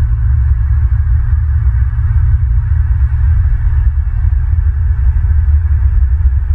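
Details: Heavy low throbbing rumble and hum, with faint ticking, runs steadily through the recording; no animal sound can be heard.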